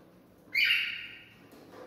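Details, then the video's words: Cockatiel song said to stimulate mating: one clear whistled note, rising slightly then held and slowly fading over under a second, over faint background hiss. "Cocktail stimulating sounds for mating"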